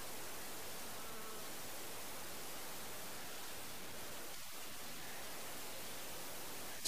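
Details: Even, hissing static fills the whole stretch, with a sharp burst right at the end and no animal voice.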